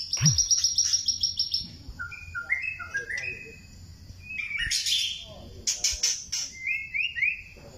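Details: White-rumped shama of the Thai type delivering a varied song: a fast high trill, then clear upslurred whistles and sharp chips in separate bursts, with short pauses between phrases and a quiet low hum behind.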